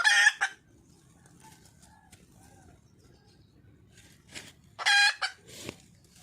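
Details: Red junglefowl hen in the wild calling to find a male: an opening harsh burst, a long quiet stretch with faint soft notes, then a loud raspy cackle followed by a couple of shorter rough calls.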